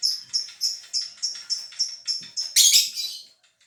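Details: Caged lovebird from Gresik, East Java, giving its long 'ngekek' trill as the cover comes off: a quick series of bright repeated chirps ending in a louder, harsher burst.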